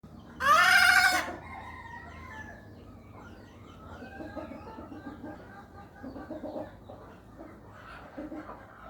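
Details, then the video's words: Hen giving an odd, unusual call: one loud, harmonic, slightly rising squawk lasting under a second, followed by soft, faint clucking notes scattered through the rest of the recording. "ayam bersuara aneh"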